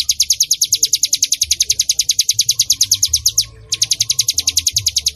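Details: Bar-winged prinia (ciblek gunung) song kept as a lure for other birds: a rapid series of high chirps that breaks off briefly after three and a half seconds, then restarts at the same brisk pace.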